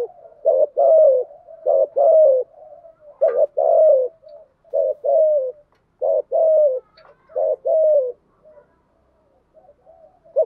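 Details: Decoy spotted dove calls played to draw wild doves in quickly: steady series of low, soft, hollow coo phrases, short clipped notes leading into longer drawn-out coos, about eight phrases with faint murmuring between.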